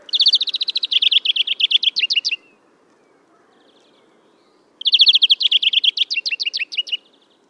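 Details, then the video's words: European greenfinch (Chloris chloris) singing in Kholm, Novgorod oblast, Russia, in April 2015: two bright, rapid trilling phrases of about two seconds each, shifting in speed and pitch, with a quiet pause between them. "Обыкновенная зеленушка Chloris chloris, песня / European greenfinch song"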